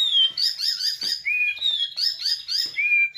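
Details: White-rumped shama singing rich filler phrases: a clear descending whistle, then quick bright chattering bursts, a lower rising whistle, and the pattern repeated twice in close succession.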